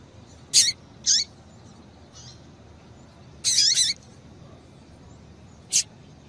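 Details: Female Double-collared Seedeater piping to excite a male into singing: a quick pair of high chips, a long pause, a longer buzzy rasp, then one thin chip, over quiet hiss.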